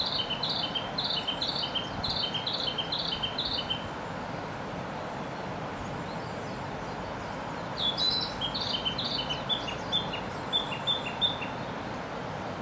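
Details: Narcissus flycatcher singing on a tree in Gifu Prefecture, Japan, May 2024: two phrases of rapid, repeated two-part whistled notes stepping between pitches, each phrase about three to four seconds, over constant low background hum.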